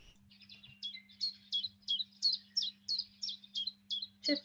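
Chiffchaff song: a steady run of about a dozen bright, high 'chiff' and 'chaff' notes alternating at roughly three per second, over a faint low electrical hum.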